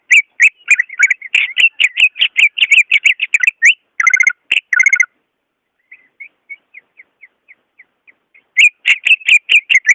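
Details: Natural song of a greater green leafbird, played to coax sluggish leafbirds into singing: a rapid run of sharp, high chirps and trills, a pause with a string of soft, thin whistled notes, then the fast chirping resumes.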